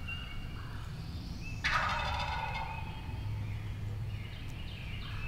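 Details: Wild turkey gobbler on the opening day of spring turkey season in Tennessee, 2023: one loud, rapid, rattling gobble of about a second over low rumbling wind noise, with small songbirds whistling thinly in the background.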